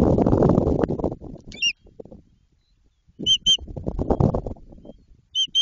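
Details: Nest-building white-tailed eagle in Jedwabno, Poland, early in the season: short groups of high, sharp yelping notes breaking through between loud bursts of low rumbling wind-like noise.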